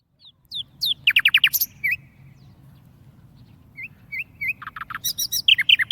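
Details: Caged tame warbler singing: high thin upslurred notes, then a fast burst of bright repeated chips, scattered short rising whistles, and a closing rapid trill of sharp notes; faint low hum underneath.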